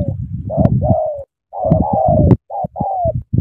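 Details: Spotted dove recorded in Cà Mau, Vietnam, cooing energetically: drawn-out hoarse notes falling gently in pitch, grouped in twos and threes, mixed with low thuds and clicks.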